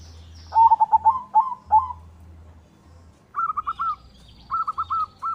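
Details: White zebra dove singing to stir other doves into song and breeding condition. Short bursts of rapid, rolling cooing notes: a lower series in the first two seconds, then two higher, quicker trilled phrases after a pause, over a low steady hum.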